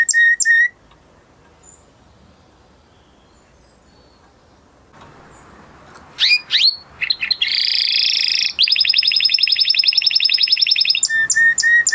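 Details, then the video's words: Male canary in breeding condition singing; after a short whistled note and about five seconds of near silence, rapid rolling trills and buzzy repeated syllables build up, ending with clear whistled notes. "Beautiful canary song اواز زيباي قناري نر مست"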